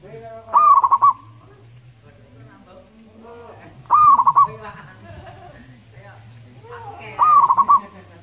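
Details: Local wild zebra dove delivering three rolling cooing phrases roughly every three seconds, each a short rising note followed by quick stuttering pulses, with softer lower coos and a low hum between.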